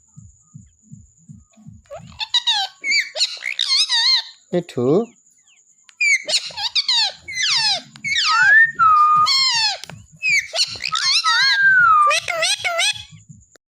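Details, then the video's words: Pet parrot talking indoors: squeaky, wavering speech-like phrases with sliding whistled tones and a short drawn-out squawk, broken by a brief pause, a faint steady high tone and soft low knocks underneath. "Talking parrot"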